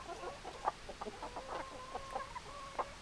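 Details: Hens clucking, a mix of short clucks and a steady drawn tone running through the middle, with sharper single notes standing out.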